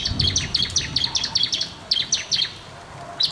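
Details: Bar-winged prinia giving energetic song intended to coax quiet birds: quick, high, slurred chirps repeated rapidly in a steady chattering run.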